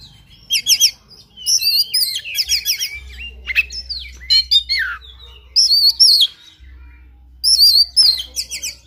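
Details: Oriental magpie-robin (kacer) in fighting-style 'tarung' song, full of varied 'isian' phrases: loud bursts of fast trills and chattering alternating with clear swooping whistles and descending slurred notes, short gaps between, a low steady hum beneath.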